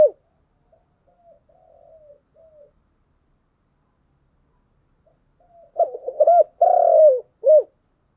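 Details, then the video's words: Spotted dove giving a giọng đồng coo: soft, low murmuring notes, then after a pause a full phrase of loud hollow coos ending in a long drawn-out falling note and a short final coo. "Cu gáy giọng đồng"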